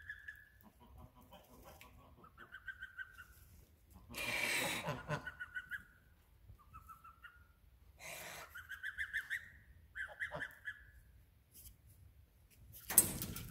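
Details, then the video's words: Geese giving scattered runs of nasal honks separated by quiet gaps, with bursts of broad rushing noise, perhaps wind or wingbeats, in between. "Nice geese"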